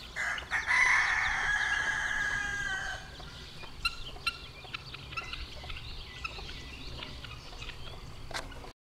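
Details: About a week old, baby chickens trail their mother hen; a loud drawn-out harsh call fills the first three seconds, then thin high chick peeps continue sporadically over quiet background noise.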